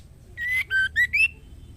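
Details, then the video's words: Female white-rumped shama calling a male to mate: four short clear whistled notes near the same pitch, the last one sliding upward, given in quick succession with little background noise. "Suara Siulan Murai Betina Gacor Memanggil Jantan"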